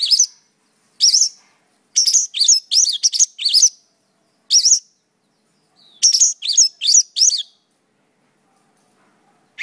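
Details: Mongolian lark delivering bursts of short, high chirps and upward-flicked whistled notes, grouped in clusters of two to five, separated by brief silences. There is no other sound.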